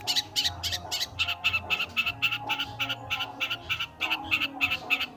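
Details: Long-tailed shrike (pentet/cendet) in nonstop gacor singing: harsh, rasping notes repeated about three to four times a second in an uneven rhythm, with soft music playing underneath.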